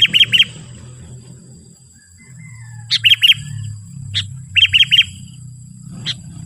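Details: Sooty-headed bulbul calling to provoke and lure wild bulbuls: short bright chirps in quick bursts of two or three notes, spaced by pauses of about a second, over a low steady hum.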